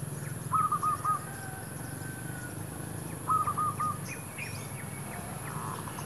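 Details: Zebra dove by a shop area, wild birds drawn by a decoy: two short bursts of clipped pulsed notes about three seconds apart, with faint chirps from other birds and low rumbling noise.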